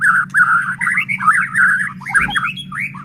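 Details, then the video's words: White-rumped shama, called murai batu, singing to provoke other shamas: a continuous, slightly scratchy warbling of rolling mid-pitched notes with a few higher accents, over a steady low hum. "Murai batu gacor AMPUH buat PANCINGAN murai batu agar bunyi JADIKAN burung murai EMOSI"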